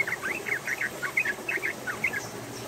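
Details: A female yellow-vented bulbul singing actively while crouching and pushing its tail gives a lively run of short, bubbly chattering notes, rapidly rising and falling, over a faint background hum.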